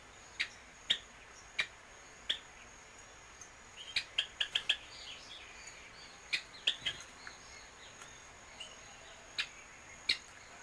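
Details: An Orange-headed tanager (Thlypopsis sordida), filmed feeding on a whole caterpillar, gives sharp, high chip notes at irregular intervals, some in quick clusters, over a steady high insect whine.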